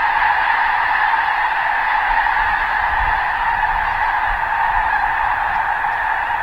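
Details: A large flock of wild snow geese in Vancouver fills the air with a steady, dense din of overlapping nasal honks and yelps, with no gaps and no other clear sounds.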